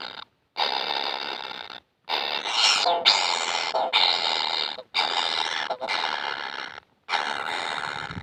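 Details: Baby kingfishers that never feel full beg insistently in long, harsh, grating bursts, five or six of them, separated by short silences.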